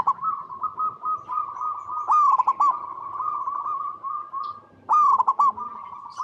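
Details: Local zebra dove (perkutut) singing steadily as a lure so other doves respond: almost unbroken mellow cooing with overlapping voices, punctuated by two louder, choppy bubbling phrases about three seconds apart.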